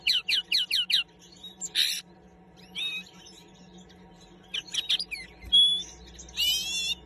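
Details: Linnet song opening with five quick descending chirps, then scattered twitters, a pure thin whistle and a final buzzy harmonic trill, with pauses between phrases and a faint steady hum.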